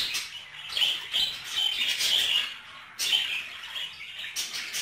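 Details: Caged budgerigars mating: high, scratchy warbling with clear whistled squeaks, rising in loudness toward the middle, a short break, then renewed chirpy chatter.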